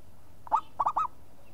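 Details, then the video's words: Single song phrase from an actively singing local zebra dove: a loud opening coo, then two quick, rounded, purring coos, clear against a quiet background. "SEKALI TUT LANGSUNG NYAUT PERKUTUT LOKAL GACOR"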